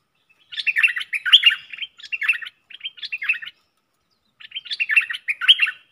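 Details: Singing caged red-whiskered bulbul used as a decoy to attract wild birds, delivering a string of lively, bubbling warbled phrases broken by short gaps, then a final burst of chirps.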